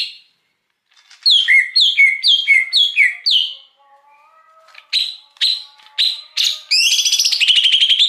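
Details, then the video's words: Lure recording of a wild greater green leafbird: a rhythmic phrase of paired high and low whistled notes repeated six times. Sharp single notes follow, then a fast trilling chatter, with faint tonal hum behind. "Suara Pikat Cucak Hijau Liar"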